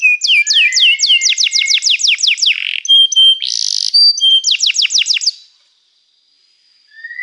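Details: Lively canary singing a rapid series of descending chirps, then a short buzzy burst and another quick run of slurred notes before falling silent, ending with a faint note.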